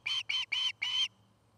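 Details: Osprey at its nest in Charlo, Montana, recorded by a nest camera: four loud, clipped whistled notes in quick succession, the last one longer, over a steady low hum.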